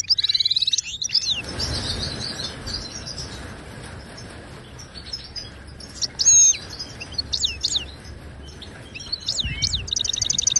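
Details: Moroccan goldfinch, Wadani song style, meant for teaching caged birds: a short trill opens, then long quiet stretches with background hiss broken by sparse high twitters, ending in another rapid buzzy trill.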